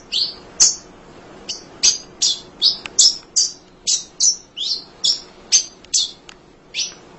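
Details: Munia (emprit) singing tirelessly, used as a master recording for training other songbirds: a long run of short, high chirps and buzzy notes, about fifteen in seven seconds at an uneven pace, with a quiet background.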